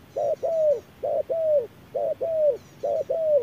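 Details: Wild spotted dove answering a mechanical decoy at noon in strong sun, beak opened wide as it calls. Four evenly spaced double coos, a brief note and a longer downward-curving one. Thin high twitters sound in the background.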